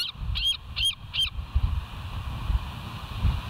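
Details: Bald eagle cam at the West End nest, 5 September 2023, 07:11 in the morning: four short high squeaky notes in quick succession in the first second and a half, then only steady low rumbling background noise.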